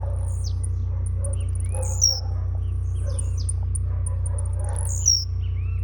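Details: Blue-black grassquit singing at a singing tournament, a jumping-display bird: two sharp high descending buzzy phrases about three seconds apart over rapid high ticking notes, with a steady low electrical hum throughout.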